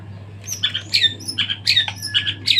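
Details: White-rumped shama singing after its moult, full varied phrasing: rapid high whistled and squawky notes in quick bursts, with a steady low electrical hum underneath.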